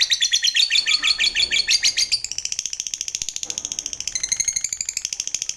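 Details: Lovebird of the fighter type giving its long 'ngekek' chatter, used to stimulate other lovebirds to chatter. The rapid, harsh, high-pitched notes run without a break for nearly six seconds. The tone shifts twice partway through.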